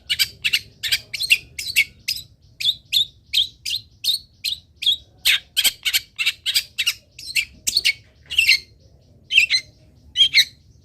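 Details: Long-tailed shrike song for teaching other birds to sing: a long, fairly even run of harsh chirps, about two per second, with some louder scratchy notes.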